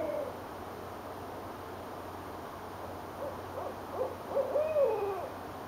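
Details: Owls trading calls in Richmond, Virginia, in January 2012: a distant hoot at the start, a quiet gap, then a run of short hoots and a long wavering hoot that falls away.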